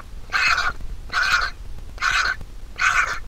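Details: Massive vulture nestling begging while its mother feeds it at the nest: four loud, grating, noisy calls spaced under a second apart, with faint low rumble beneath.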